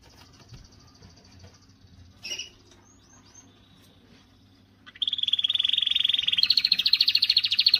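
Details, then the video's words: Canary song used to stimulate females and teach singing. Near silence with a faint brief call at first, then a loud sustained rapid trill starts and rises slightly higher partway through. "تغريدة قوية من الكناري لتحفيز"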